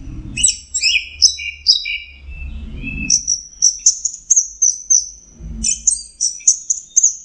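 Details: Orange-headed thrush, known locally as anis merah, in full song: varied whistled phrases and chattering notes high in pitch, some sliding down, delivered in quick bursts with brief pauses, faint low rumble beneath.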